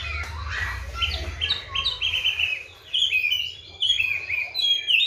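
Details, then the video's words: Caged Oriental magpie-robin, kept on seven crickets and bathed morning and afternoon, singing a varied run of clear whistled phrases, sliding and warbled notes strung together with brief pauses, over a low steady hum. "KACER GACOR"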